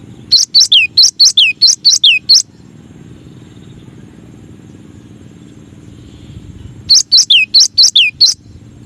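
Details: Cinereous tit singing a masteran variation: a fast run of about nine falling whistled notes, a long pause, then another run of about seven similar notes.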